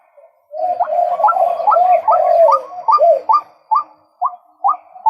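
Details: Male white-breasted waterhen giving a fast run of short, rising, hoarse notes, roughly a dozen in five seconds. The notes begin after a brief quiet start, crowd together at first, then space out toward the end.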